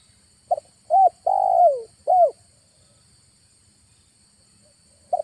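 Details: Spotted dove lure call recorded one August afternoon at a trapping spot near a village: a single clear phrase of a short note, a curved coo, a long falling coo and a final coo, then silence before another note starts.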